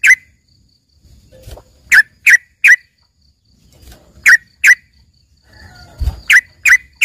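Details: Yellow-vented bulbul (trucukan) singing filler notes meant for tutoring a green leafbird: brisk bright chirps in tight sets of two or three, separated by pauses and soft low knocking sounds.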